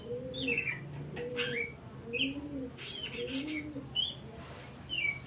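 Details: Singing Oriental magpie-robin, offered as a lure so other birds start singing: short sweeping whistles and sharp slurred notes every second or so, with soft rhythmic cooing like a dove throughout and a constant thin high tone.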